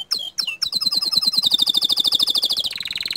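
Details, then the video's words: Bottle-green canary singing 'tembakan' shot-like song meant to rile other canaries: a few sharp downslurred notes, then a long rapid high trill of evenly pulsed notes ending in a denser rattling run. "Masteran Kicau Kenari Warna Hijau Botol Suara Tembakan nya Bikin Emosi Kenari Lain"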